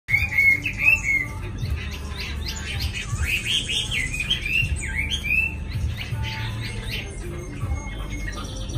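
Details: Caged Chinese hwamei, newly arrived in Hanoi and not yet in full singing form, delivers long melodious phrases: rich warbled whistles rising and falling, loudest in the opening seconds, over a steady low hum.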